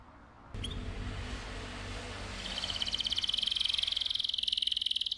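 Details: Canary song for stimulating the male and preparing the female for breeding: a broad hiss of background noise gives way to a fast, pulsing, high rolling trill that grows steadily louder.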